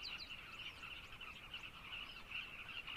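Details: Carmine bee-eaters calling at a colony in Zambia: a dense, continuous chatter of short, rolling chirps overlapping each other, with many birds calling at once and no pauses.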